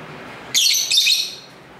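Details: Lovebirds singing and talking together indoors, picked up by a camera's internal microphone: one loud, grating, high screech lasting under a second, slightly doubled, with low street ambience beneath.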